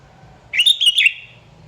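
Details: Sooty-headed bulbul (kutilang) singing energetically to provoke rivals into song: one brief, bright phrase of four quick bubbly whistled notes, then quiet.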